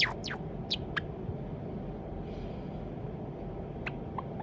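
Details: A young white Java sparrow, probably male and hand-raised from a chick taken in October 2021, practises its song. It gives a few quick, thin chirps sweeping up and down in the first second, then scattered soft notes over a steady low hum.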